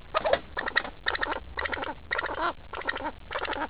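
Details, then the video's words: Irritated pheasant that dislikes the people near it, sputtering loud, grating bursts with short pauses, about two per second. "angry pheasant....doesnt like us at all!!!"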